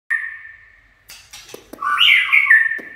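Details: White-rumped shama singing in the chạy cầu style: a long steady whistle held on one pitch, sharp clicks, then a loud, rich warbled phrase sliding down in steps.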